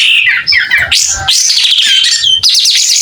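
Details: Pied triller singing hard while opening its tail, giving clear descending whistles, then a dense buzzy warble and a rapid wavering trill at the end.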